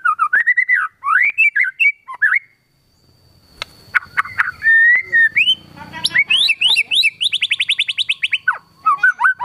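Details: Energetic white-rumped shama song crammed with kapas tembak fill-in phrases: looping whistles, a pause broken by clicks, then sweeping notes and a fast repeated trill, with a thin steady tone behind.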